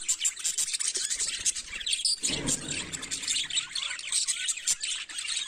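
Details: Budgerigar morning song, a constant flock chatter of sharp chirps and fluttering warbles, with a soft low rustle just after two seconds beneath the high twittering.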